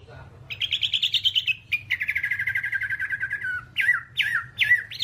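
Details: Song of a Hwamei, used to tutor other birds: a rapid trill of buzzy notes, then a long rattling level phrase, followed by loud upslurred and downslurred whistles; low electrical hum in the background.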